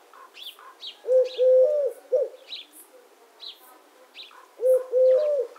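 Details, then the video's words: Eurasian collared dove cooing twice, each phrase three notes with the middle one drawn out, over soft background chirps and faint twitters from small birds. "The sound of the Collared Dove - Dove Sounds"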